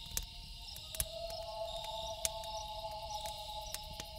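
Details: A sustained loon wail at night, a pure, mournful held tone that steps up slightly early on and continues throughout, accompanied by a steady high insect drone and frequent crackling campfire pops.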